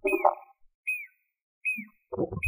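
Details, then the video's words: Jacobin cuckoo song of clear, down-slurred whistles repeated about every 0.8 seconds, three in sequence, mixed with lower clattering and rustling sounds at the beginning and end. "Pied/Jacobin Cuckoo Song"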